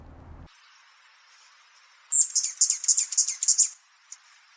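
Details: Allen's hummingbird giving a territorial call that warns other birds off its spot: a thin, very high buzzy 'zee', then about eight quick, sharp chips in under two seconds, after a brief low murmur.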